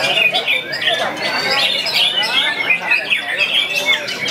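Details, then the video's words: Young white-rumped shama starting to unload its repertoire of learned phrases after seeing a rival and a female: dense, continuous run of varied chattering, squawky notes and quick slurred whistles, with sharp upslurs and scratchy bursts overlapping throughout. "MURAI BATU A3TEC MULAI BONGKAR MATERI, LIHAT LAWAN DAN PERAWAN"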